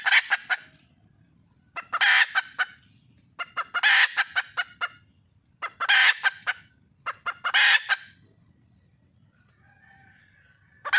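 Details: Red junglefowl hen in the wild calling for a mate repeats four bouts of sharp clucks merging into harsh squawks, with a faint distant call near the end.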